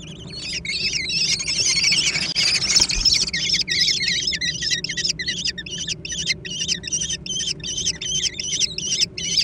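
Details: Fight over food among young American kestrels, opening with a dense, overlapping burst of harsh shrieking, then settling into rapid, regularly spaced squealing notes against a low background hum.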